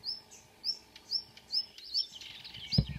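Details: Marsh warbler singing early morning in June at Kråkstad, Norway; high slurred chirps repeated about twice a second, then a busier twitter and a low knock at the end.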